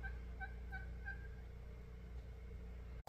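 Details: A wild turkey (Meleagris gallopavo) visiting gives a short, rattling gobble, four quick throaty notes in about a second, over a steady low rumble.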